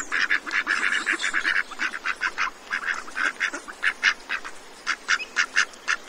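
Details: Feeding-frenzy ducks at Cambridge, Maryland, uttering quick, raspy quacks in bursts, crowded at first and then spaced into short separate calls of about three per second.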